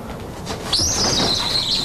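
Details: Buddy, a captive education bald eagle at a raptor rehabilitation center in Sitka, Alaska, 1993, gives a thin, high squeal during handling for an exam. It rises sharply, then holds and wavers about a second, after faint rustling.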